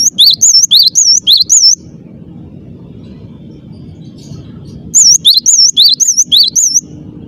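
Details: Cinereous tit singing clearly and persistently, two phrases of rapid, high, wavy whistles, about five to seven notes each, split by a three-second gap filled with low rumbling background noise.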